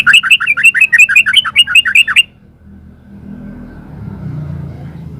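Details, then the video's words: A yellow-vented bulbul delivers a rapid run of about fifteen chirpy, rolling notes in 'ropel uplik' style over two seconds, then stops, leaving low background rumble. "Suara burung trucukan GACOR ropel uplik"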